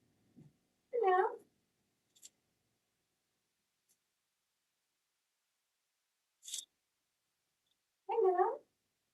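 Trumpeter hornbill giving two nasal, wailing calls about seven seconds apart, each half a second long, like a crying baby. A few sharp clicks fall between them.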